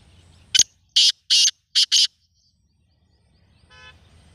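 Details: Black francolin calling: a short harsh note, then two pairs of loud, broadband, grating notes over about a second and a half. After a pause comes a faint, buzzy, tonal note near the end over a quiet background.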